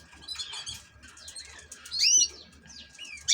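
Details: European goldfinch, kept as an ornamental cage bird, giving quiet, scattered high twittering notes, with a brighter burst of curved, slurred chirps near the middle and a sharp note at the end.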